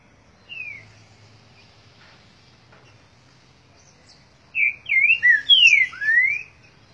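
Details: Green-winged Saltator performing its 'boi' song: a single soft falling whistle, a few seconds' pause, then a loud phrase of rapid swooping whistled slurs, some looping and some falling, in near silence.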